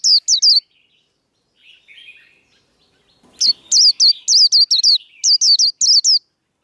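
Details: Japanese white-eye fighting song used to train cage birds: quick bursts of high, sharply descending whistled notes in rapid series, a brief softer warbling in the pause, then a longer run of loud repeated notes.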